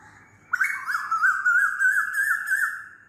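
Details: Loud Asian koel call: a bright, sustained whistle wobbling rapidly in pitch and slowly rising for over two seconds before tapering off.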